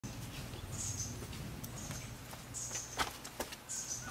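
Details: Cinnamon Flycatcher, subspecies pyrrhopterus, in Bellavista Cloud Forest Reserve, Ecuador, in May 2012, gives thin, very high call notes about once a second over a steady low engine hum and a few clicks.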